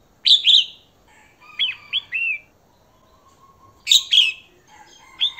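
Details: Female red-whiskered bulbul singing to stimulate males: paired bright, slurred whistled notes, then a trio of shorter arched whistles, the first pair returning after about three seconds; quiet background.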